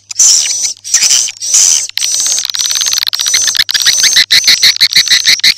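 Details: Swiftlet-house lure of edible-nest swiftlets for day and night: three loud buzzy chirp bursts, then continuous twittering, ending in a rapid run of short clicking chirps about twice a second.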